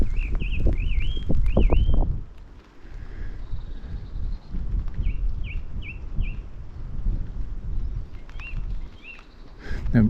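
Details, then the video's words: A song thrush in a tree on a windswept walk up Golden Cap, Jurassic Coast, Dorset, sings short, clear whistled phrases, each repeated three or four times before switching to a new one, over strong gusting wind. "So, over here in the tree, there's a song thrush. If we listen out, we'll hear it."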